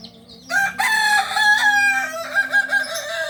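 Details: Kokok Balenggek singing rooster of Solok, bred in Solok city: a loud crow starting after half a second, with a sustained note followed by several quick pulsing, stepping notes to the end.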